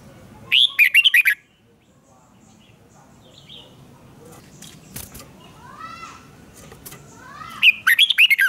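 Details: Red-whiskered bulbul singing a duel for voice training: two bursts of quick warbled notes, separated by a stretch of softer harmonic calls and a few clicks.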